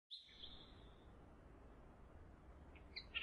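An Ashy woodswallow gives a long, high, thin note that slowly fades, then after a pause a short burst of sharper, harsher notes over a low background rumble.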